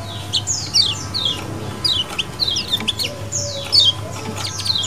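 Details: Lemon-bellied white-eyes chattering in colony style, used as a lure: quick series of high descending chirps in clusters, with a low hum and a brief mid-pitched tone in the background.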